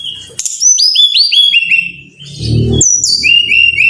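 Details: Brown-chested jungle flycatcher song to spur caged birds to sing: a quick series of bright whistled notes descending in steps, a brief noisy rumble, then another run of repeated clear whistles.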